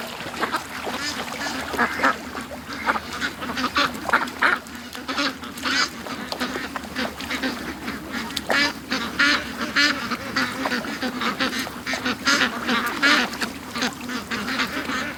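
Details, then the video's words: Large group of ducks freed from the pen in the morning, rushing eagerly to the lake; an unbroken, dense chorus of loud rasping quacks, fast and overlapping throughout, with a faint low hum beneath. "Ducks At The Creek Morning Rush"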